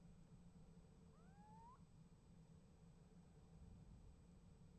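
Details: Little owl calling at a nest box in late January 2015, answered by another owl: a single drawn-out, rising mewing note, slightly upturned at the end, over a steady low hum.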